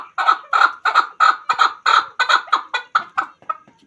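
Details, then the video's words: Chukar partridge, a hunter chakor, giving a series of harsh, clucking chuck notes about three per second, loud and evenly spaced at first, then slowing and fading away at the end. "Chakor Ki Awaz. Hunter Chakor sound."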